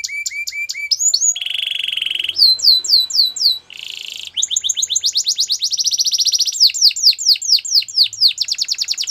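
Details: Canary in full song, switching between bright repeated whistles, low rattling trills and rapid cascades of downward-sweeping notes, phrases changing every second or two.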